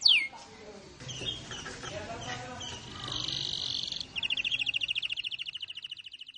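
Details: Canary: one sharp falling whistle, then a soft, noisy stretch of mixed chatter and a raspy buzz, finishing with a quick, steady high trill.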